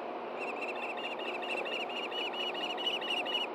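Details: Osprey calling as a fish is passed from male to female at a Hellgate Canyon nest in Montana, 9 AM, June 6, 2014; an unbroken rapid series of thin, whistled chirps, gradually growing louder, over steady rushing background noise.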